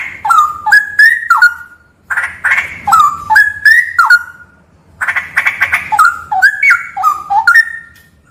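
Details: Straw-headed bulbul singing in a haunted cave, giving three bouts of mellow, gurgling whistles. Each bout opens with a rough chatter and then steps through falling and rising liquid notes, with short pauses between bouts.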